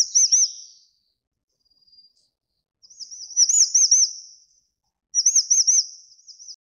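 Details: Grey-chinned minivet giving bright, high, trilled call phrases of quick up-and-down whistled notes, three bursts spaced roughly two to three seconds apart in an otherwise quiet setting.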